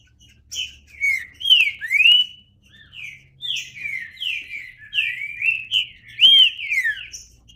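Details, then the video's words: Green-winged saltator (trinca-ferro) singing: a steady run of clear, slurred whistled notes, each rising or falling, about two per second, with louder phrases near the middle and end. "Trinca Ferro (cantando)"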